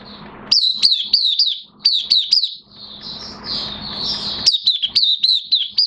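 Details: In minor moult and caged, an Oriental white-eye gives fast, high twittering notes, each a short falling slur, broken midway by a warbled, slurred passage and faint scuffling, then the chirps return.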